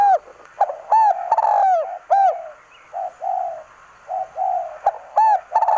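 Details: Spotted dove from Aceh, singing energetically: arched coos and long falling notes loudly at first, then softer, lower coos in between, ending with bright arched notes again; faint hum behind.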